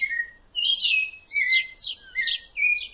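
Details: A rufous-bellied thrush, identified by its rust-coloured breast, sings clear, fluty whistled phrases mixed with brighter chirpy notes, about two phrases per second, with quiet background hiss.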